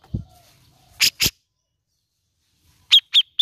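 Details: Grey-cheeked bulbul, played as a lure to stir a reluctant bird into singing: a low thump, two loud harsh rasping bursts, a silent pause, then three short bright notes with a quick downward inflection.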